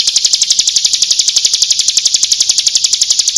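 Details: Steady, very regular stream of quick, shrill repeated notes from a female bar-winged prinia calling, played as a lure.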